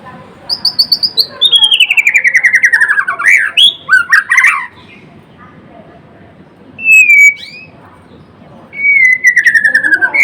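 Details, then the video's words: Singing white-rumped shama, called murai blorok: a long rapid trill sliding steadily downward, sharp squawky notes, then pure whistled phrases after a pause, one falling in a fast rattling series. "Kicauan MURAI BATU GACOR (Murai Blorok gacor)"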